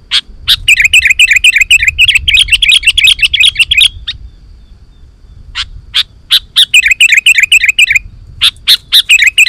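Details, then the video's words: Sooty-headed bulbul singing vigorously, used to make wild bulbuls answer: long, dense runs of rapid twittering chirps, broken by a quieter gap with scattered single sharp notes, then another fast burst. "Suara Burung KUTILANG GACOR 100% Ampuh Untuk Suara Panggilan Kutilang Lain auto Emosi dan Gacor"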